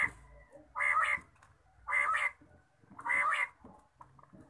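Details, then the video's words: Morning quail calls: three strong, nasal, slightly wavering notes spaced about a second apart, with quieter low rumbling background between the calls. "batair ki awaz subha"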